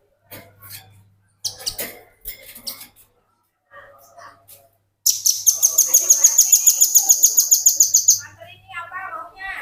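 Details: Tutor recording of a Velvet-fronted nuthatch for training other birds: several short bursts of high chips, then a long piercing trill of rapid, regular notes lasting about three seconds, followed by lower warbled notes.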